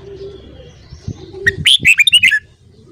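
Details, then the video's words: Red-whiskered bulbul morning song: one brisk, cheerful phrase of about seven bright whistled notes with looping pitch, preceded by soft low thumps and a faint murmur. "Luyện giọng chào mào hót sáng"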